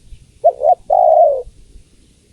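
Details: A single call phrase from a female spotted dove calling the male: two short soft coos, then one long, low, descending coo lasting about half a second. Faint low rumble behind.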